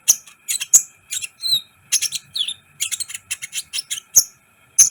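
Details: Sunbird known as kolibri ninja singing hard, used as a training recording to excite other birds: irregular volleys of high, scratchy twitters and sharp clicks with brief whistled slurs, about ninety bursts a minute, above a faint steady tone.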